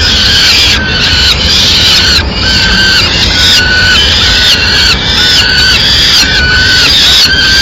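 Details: Nestling peregrine falcons in Madrid reclaiming food from the female, who arrives with a small bird as prey: long harsh screaming cries repeated about once a second, layered over one another, recorded very close.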